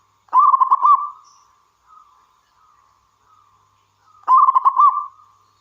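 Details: Prolific local wild zebra dove song meant to draw other doves into singing: two strong, stuttering, pulsed coo phrases about four seconds apart, separated by soft, drawn-out murmuring notes.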